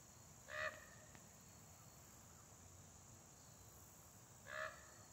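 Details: Common raven hidden in a big pine, yelling at a hawk: two short, harsh, nasal calls about four seconds apart over a steady high hiss and faint background noise.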